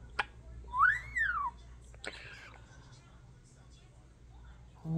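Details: Pet talking European starling at home, a mimic of its owner's kisses, gives one long arched whistle rising then falling, framed by sharp clicks and a smacking sound, before a quiet stretch and a voice starting at the end.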